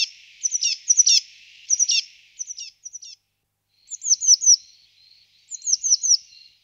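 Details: Eurasian blue tit uttering clusters of two to four high, sharp, down-slurred chirps with short gaps between the groups, some notes with a slight buzzy edge.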